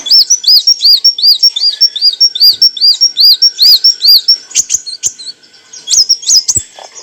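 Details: Olive-backed sunbird song used as training material for cage birds: a fast series of high arched chirped notes, about two or three per second, over a steady high whistle, then sharp ticks and brief twittering.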